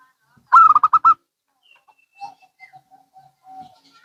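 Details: Local and Bangkok zebra doves exchanging calls: a loud, rapid string of six bubbling coos, followed by quiet, lower spaced coo notes and a longer soft closing coo.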